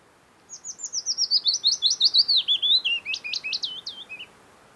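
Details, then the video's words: A wild Willow Warbler sings near the Hallingskarvet mountain range, Norway, at the turn of June and July: a gentle, trickling phrase of rapid sweet notes that loudens and falls steadily in pitch before rising slightly in a final flourish. "Song of Willow Warbler"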